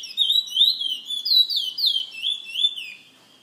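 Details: Caged bullfinch from San Fernando, kept by a bird lovers association member, delivers a continuous stream of high, sweet looping whistles with quick up-and-down slurs, steady and loud before fading out at the end.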